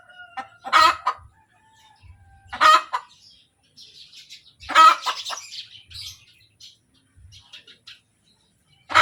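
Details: Hen cackling after laying: loud raspy squawks recur roughly every two seconds, separated by soft clucks, with faint chirps of small birds in the background.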